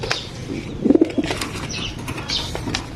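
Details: Racing pigeon (kalapati) at a home loft: a brief burst of low, soft cooing notes near the one-second mark, amid bursts of wing flapping and faint higher chirps from other birds in the background.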